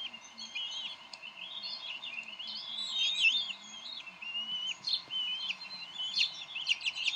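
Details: Male and female bald eagles quarrel over a fish at their Decorah nest on 30 May 2012, the female winning and feeding the young eaglet. Thin wavering whistles and quick piping notes come softly but steadily, with a faint low hum beneath.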